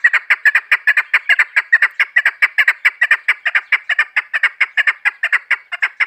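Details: Uninterrupted rapid clucking from a female chukar partridge, heard in a hunter's call: about six harsh chuck notes per second, steady in pace and loudness for six seconds.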